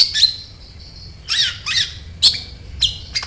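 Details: High chirps from a kolibri ninja sunbird, used as a lure. A long, thin, squeaky note is followed by harsher squawking bursts and sharp clicks spaced about half a second apart.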